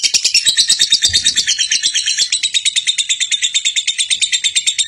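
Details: A lovebird's 'gacor konslet' chatter for teaching other lovebirds: a shrill, busy twittering run, briefly denser and scratchier at the start, then settling into rhythmic high pulses near three per second; a short low thud early on.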